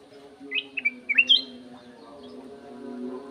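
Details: Golden-fronted leafbird kept in an aviary, singing clearly: a quick burst of sharp, slurred whistled notes, some rising and some falling, lasting about a second over a steady low hum.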